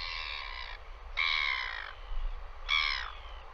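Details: Northern royal albatross at a live nest camera in New Zealand during a visit, giving three loud harsh braying calls with layered harmonics, each about half a second long and separated by pauses, over steady low wind rumble.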